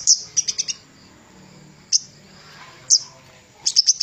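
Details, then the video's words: Javan cochoa used as a master recording for training songbirds: a short flurry of piercing high chirps, then single sharp notes spaced about a second apart, closing with a quick run of tweets. "Burung Kemade Gunung master handal untuk pikat suaranya lebih keras"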